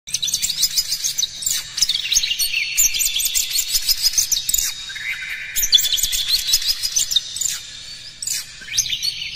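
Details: Oriental magpie-robin song, played as a lure to provoke other magpie-robins into singing, fighting and spreading their tails. A dense, varied run of high, fast whistles and chirps, with sharp rising and falling notes, plays continuously and loudly, with only faint low background noise.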